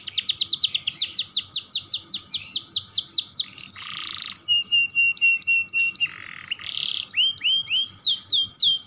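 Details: Young canary singing nonstop as a stimulus recording for other canaries: fast high repeated downslurred notes in rapid series, a brief harsh buzzy burst near the middle, then upward-sweeping whistles and more quick trills.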